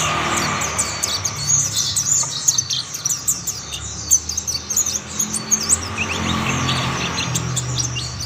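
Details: Mountain white-eye song joined by other birds; bursts of high, quick twittering and sharp chirps across the clip, with louder low rumbling noise in places.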